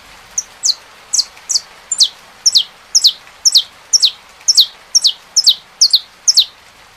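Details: Saffron finch singing in rain: a long, even string of high, clipped notes sliding downward, some doubled, roughly two per second, over faint hiss.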